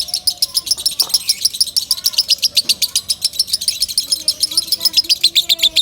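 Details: Loud lovebird singing meant for training other birds: dense, fast sharp chirps throughout, slightly uneven in rhythm, with faint lower background sounds.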